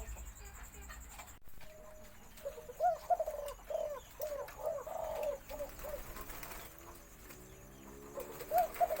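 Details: Spotted dove in a cage, sex uncertain (owner thinks 60% female), with a mid-to-deep voice, gives a deep, mellow run of soft coos, a full four-note crowing phrase, then starts again after a pause, over faint hiss and background noise.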